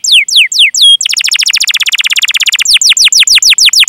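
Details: Canary song of chirps and a roll, intended to trigger silent or young canaries to sing. Descending whistled notes lead into a rapid, steady trill of about forty pulses, then a run of quick falling chirps.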